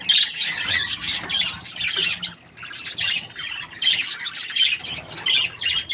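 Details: Budgerigar described as happy, giving a busy stream of scratchy, high chirps and chattering squawks in irregular bursts with brief pauses.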